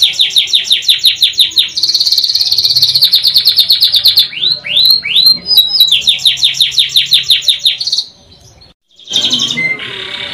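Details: A canary sings a long, loud, bright song of fast repeated chirps, rapid trills and sweeping rolled notes, with a brief pause before it resumes.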